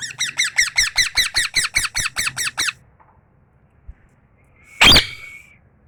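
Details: Tame pet parrot (mithu) giving a fast run of about twelve harsh, harmonic chirps that slow slightly over nearly three seconds, followed by silence and one loud broadband burst.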